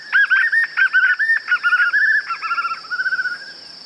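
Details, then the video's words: White-eared puffbird in song, natural sound only. Bursts of warbled, wavering whistles follow one another. They grow into a faster pulsing trill that tapers away, over a constant high-pitched background tone. "Som limpo do canto🎵 do João Bobo"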